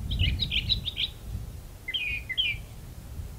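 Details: Brown thrasher singing in a magnolia tree: a quick run of buzzy chirped notes, then a pause and a second pair of slurred, scratchy phrases. A low rumble of background noise runs underneath.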